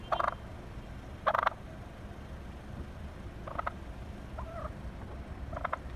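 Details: Wild turkey that chases a car gives a few short, harsh rattling bursts spaced seconds apart over a steady low road rumble.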